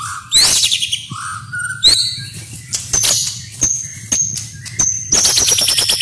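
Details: Masteran training song of a white-rumped shama, with fill-ins, shots and rolls: a loud opening burst, low whistled swoops, then widely spaced, piercing high notes and a closing run of rapid, sharp chips.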